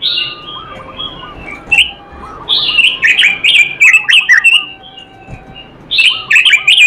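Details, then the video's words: Robin singing energetically with filler phrases: loud, rich whistled phrases and quick chattering notes in fast runs, pausing briefly, while soft lower rippling notes repeat in the background. "robin suara merdu gacor isihan"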